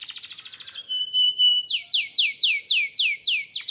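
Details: Canary sings a quick pulsed trill, holds a steady clear whistle, then repeats bright downslurred notes about four times a second.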